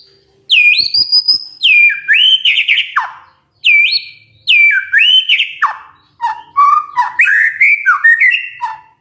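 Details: Morning magpie-robin lure song to set silent magpie-robins answering: bold, loud whistled phrases swooping down from high then rising again, delivered in bursts about every two seconds, ending with lower warbled notes.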